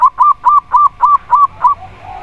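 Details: Local zebra dove (perkutut) from Indonesia cooing: a clear run of seven evenly spaced, ringing notes, each slightly falling, about three per second, fading at the end.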